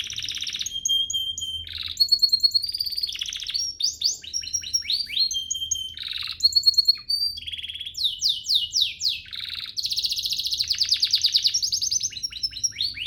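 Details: Continuous canary song intended as a training master: alternating held whistles, rapid rattling rolls and sweeping slurred notes, phrases changing every second or two with no pauses.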